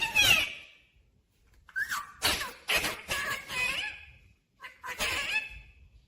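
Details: Harsh, raspy chatter and short squeaky syllables come in uneven bursts with short gaps from a pet Rose-ringed parakeet said to talk and say 'mummy papa'.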